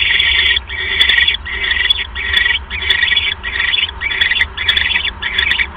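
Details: Owl at the nest while prey, a mouse, is delivered on the evening of 1 January 2015. Steady rhythm of rasping, hissed bursts, roughly one every two-thirds of a second, with scattered clicks.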